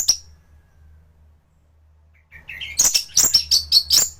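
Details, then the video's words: Song of a thrush (anis) in peak form, kept as master material for teaching other thrushes: one high note, a quiet gap, then a rising series of rapid, sharp, high-pitched chips and twittering notes. "Burung anis gacoran || masteran untuk burung anis"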